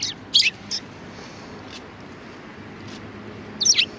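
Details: Sparrows at a Tenmangu shrine, Japan, February 2020: a brief burst of two or three loud, high chirps, then a quiet pause before another tight cluster of sliding chirps.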